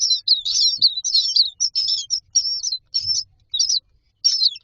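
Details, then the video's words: Myna chicks standing in a row in a nest box beg for food with harsh, buzzy high calls that come quickly, then thin out toward the end, with a couple of soft thumps. "Myna chicks are standing in a row waiting for food"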